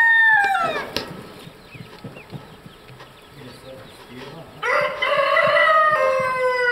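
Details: White-crested Polish chickens in black and blue-laced plumage, at Madiswil on 3 June 2012: one crow ends with a falling tail, flock clucks and rustles follow, then a second loud, rough crow with a long descending finish.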